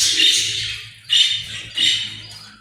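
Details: Australian parrot giving three harsh, raspy squawk bursts about half a second apart. Each starts loud and fades, against a faint low hum.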